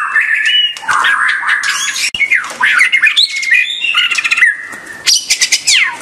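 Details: White-rumped shama singing loud, varied phrases: harsh rasping notes mixed with whistles and slurs, ending in a burst of rapid descending chips.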